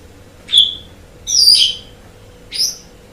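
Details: Asian pied starling song used as a master recording for training kept songbirds: one clear whistled note, then a longer harsh burbling phrase, then a short rising squeak, with a faint constant hum behind.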